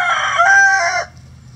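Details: Rooster crowing in a chicken coop at a rescue sanctuary on a sunny day. The loud, hoarse, strongly harmonic crow is held for about a second, then stops abruptly, leaving only a low background hum.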